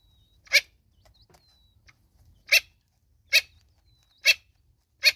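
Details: In South Africa, a Natal spurfowl mother accompanied by chicks gives five raucous, scratchy notes at uneven intervals, with faint thin high whistles drifting between them.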